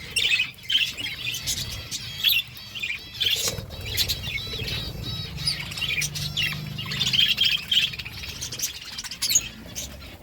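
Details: Pet budgerigars chirping while eating food: a dense, continuous chatter of warbled high chirps and squeaky notes, with wing flutters and pecking clicks mixed in, plus a low background hum.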